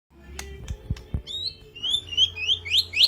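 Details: White-rumped shama song used as a training lure for other birds: a few dull knocks at first, then a string of clear, rising and falling whistled notes that grows louder toward the end.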